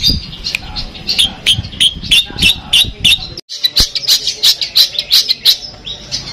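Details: Long-tailed shrike of Madura type with 'Peterpan' styling, singing 'full Armagedon' song material: rapid high chattering notes repeated about three per second, a short break midway, then quick bright chips resuming.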